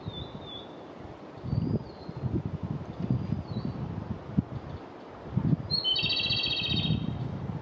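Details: Japanese robin in song during spring 2022, showing its back: a few faint, thin wavering whistles followed by a loud, rapid, rattling trill lasting around two seconds, over steady low rustling noise.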